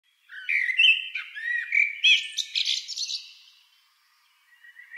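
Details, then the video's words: Common blackbird (Turdus merula) song: a single mellow, fluting phrase of low whistled notes breaking into a squeaky, twittering flourish at the end. Often the first bird heard singing in the morning and the last in the evening. "Die Amsel ist oft morgens der erste und abends der letzte Vogel, den man singen hört."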